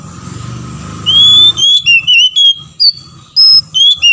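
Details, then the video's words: Oriental magpie-robin male and female answering one another, played to make other magpie-robins angry and singing: after a low humming start, a string of piercing whistled notes, some rising, some dropping, in quick succession. "PANCINGAN KACER BETINA DAN JANTAN BERSAUTAN BIKIN KACER LAIN MARAH DAN GACOR"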